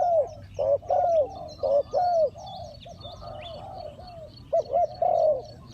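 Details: Spotted dove used as a decoy during bird trapping, calling to wild doves: low, hollow coos in rounded phrases, about one per second, with a brief pause mid-clip before more coos, over faint rural background.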